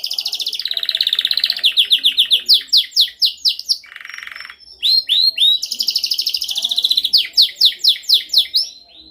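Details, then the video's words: Canary giving a dominant song meant for training other birds: fast series of high descending whistled sweeps, a brief low buzzy roll in the middle, then more rapid sharp downslurred notes and chips. "Canção mais dominante de canary para treinagem."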